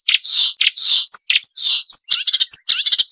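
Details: Varied Marsh warbler song recorded to train songbirds: harsh, scratchy phrases mixed with thin, high, pure whistles and quick chips, delivered in a busy, jumbled pattern.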